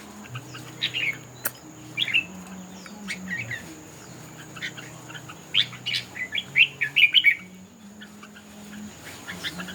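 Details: Red-whiskered bulbul singing in a contest: scattered brisk chirpy phrases that grow into a quick cluster of sharp warbled notes midway, then thin out again, with a low droning hum and one sharp click.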